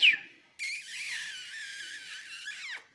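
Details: Newly hatched goldfinch × canary hybrid chicks, the season's first, make a sustained, wheezy, high-pitched hissing chorus lasting about two seconds, after one sharp, falling chirp at the start.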